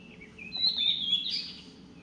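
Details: Blue-and-white flycatcher song recorded on 24 June 2017: a brief high whistled phrase with slurred notes sliding around the upper register, sung over a quiet low background hum.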